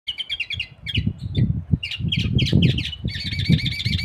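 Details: Canary hybrid (mixto) in training for song contests: short bursts of bright, chirpy notes and quick slurred phrases, ending in a steady rolling trill, over heavy low rumbling background noise.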